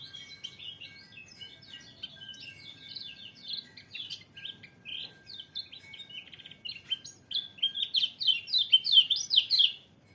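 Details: White-eye song: a long, continuous high warble of rapid chirps and slurred twitters that grows louder and denser toward the end before stopping abruptly.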